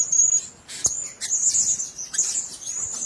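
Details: Blue-crowned hanging parrot at a nest: rapid high-pitched squeaky twitters in quick bursts, with a sharp click near the start.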